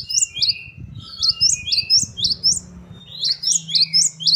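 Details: Gelatik batu, the great tit, delivering lively gacor song with variations: steady strings of piercing high chirps, each note sweeping upward, in two bursts separated by a short break, low murmur underneath.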